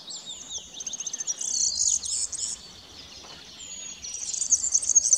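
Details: A European serin sings at Löderup beach, Sweden, on 3 May 2021: very high, rapid, jingling twitters with a buzzy, glassy quality, delivered in tumbling bursts over quiet background.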